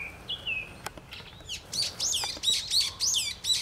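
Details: Spring song of a brown-eared bulbul: a few drawn-out whistled notes, then a rapid chatter of sharply swept, squeaky chirps repeated several times a second, with light clicks and outdoor ambience.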